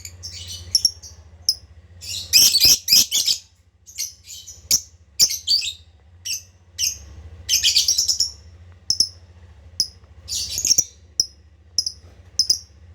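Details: Lovebird song used to attract escaped birds and stimulate breeding: clusters of loud shrill twittering alternating with isolated sharp chirps, over a low steady electrical hum.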